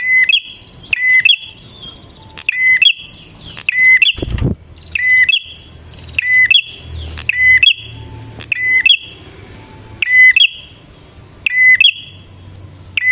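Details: Energetic bar-winged prinia song for luring wild birds: sharp high chip-and-whistle phrases repeated almost every second, broken once by a loud low thump, over soft background rumble.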